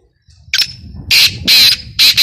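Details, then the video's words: Black francolin calling, used for hunting, gives loud, harsh, grating bursts in quick succession, each a scratchy high phrase about half a second long, over a faint low rumble; finding: Black francolin. "Titer ki best awaz, Kala titer, black francolin calling"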